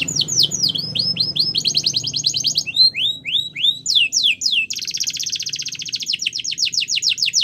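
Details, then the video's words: Training song of a canary: repeated falling whistles, then tight buzzy trills, a series of curving slurred notes, and finally a long, fast, even rattle-like trill held for nearly three seconds. "Canary's Most Powerful Song For Training"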